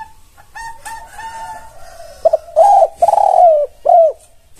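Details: Tekukur, the spotted dove, singing in a masteran recording played to draw replies from other doves. Soft, drawn-out coos give way to a loud burst of three or four full, hollow coo notes, with a slight downward bend on the last.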